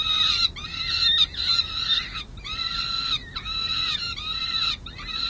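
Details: Several peregrine falcon chicks at a city hall nest in San Jose, May 2022, begging noisily for food: piercing, harsh screams in overlapping bursts, some sustained over a second, with short breaks between.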